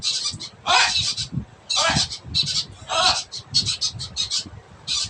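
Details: Noisy blue-and-yellow macaw uttering a series of raspy, harsh squawks of varying length, several long screeches mixed with short clipped bursts, irregularly spaced, over a low background rumble.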